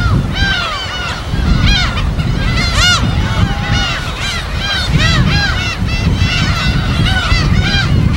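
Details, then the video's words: Many gulls calling at a wild breeding colony on an uninhabited island in the Yellow Sea, Korea; overlapping harmonic, arching cries repeated constantly, over strong low rumble of waves and wind. "파도소리와 갈매기소리"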